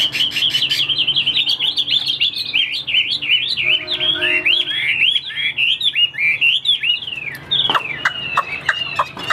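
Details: Chinese hwamei in a cage, a tall fighting bird that fans its wings, pours out a rapid stream of looping, buzzy-edged whistles, then slower descending slurred notes toward the end.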